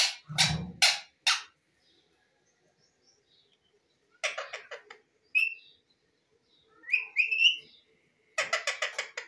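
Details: Indian ringneck parakeet, kept as a pet and said to be talking, gives harsh raspy bursts in quick groups of three to five, separated by silent gaps, with a few short rising whistled notes in the middle.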